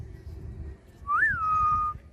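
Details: A pet cockatiel brought up to the rooftop in the afternoon gives one clear whistled note that rises, then levels off and holds steady for nearly a second.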